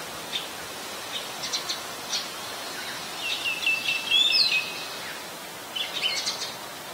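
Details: Adult Red-whiskered Bulbul recorded on 3 January 2021 in Ubon Ratchathani, Thailand: scattered short chirps, then a louder cluster of clear whistled and rising slurred notes, ending with another burst of high twitters amid steady ambient hiss.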